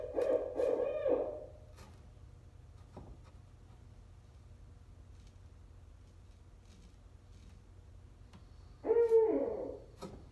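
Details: A Barred Owl in the greater Ottawa area in fall gives two bursts of deep, throaty hooting, one at the start and one near the end, with a quiet pause in between.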